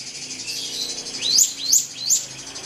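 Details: Drongo song used to provoke a rival bird: three loud, high upslurred whistles about a third of a second apart after a second of faint, hissy background.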